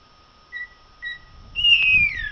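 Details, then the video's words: Two soft, short whistles from a common blackbird, then a louder drawn-out whistle that slurs gently downward, with a faint hum behind. "canto del merlo"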